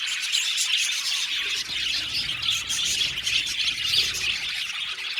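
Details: Aviary colony of around 70 budgerigar pairs: constant overlapping chirps, squawks and twitters, high and busy, with brief louder sharp notes standing out from the crowd.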